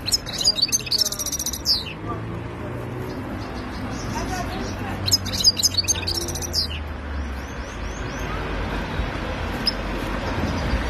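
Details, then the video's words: European goldfinch from Algeria singing khalwi-style song in two short bursts of fast liquid twittering and sweeping notes, with a man talking and background hum in between. "تغريد الحسون خلوي قوة"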